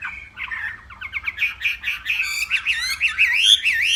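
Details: Hwamei from northwest Vietnam singing in the morning during a singing contest: rich, varied phrases of whistled and warbled notes, starting with short chirps and building to looping, sliding whistles.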